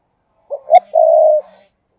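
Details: Cooing of a spotted dove kept as a decoy to attract wild doves, in 'thúc gù' style: a brief note, a sharper second note, then one drawn-out level hoot lasting about half a second; quiet background.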